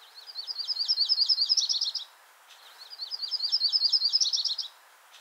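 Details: Yellow-rumped Warbler song, twice: a high, loose two-part trill of rapid notes lasting about two seconds, slightly rising and changing pace toward the end.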